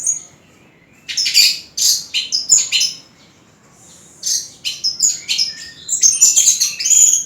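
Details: Orange-headed thrush, a champion songbird, singing high, bright phrases in bursts: sharp whistled notes and fast trills separated by short pauses, the second half denser and more varied.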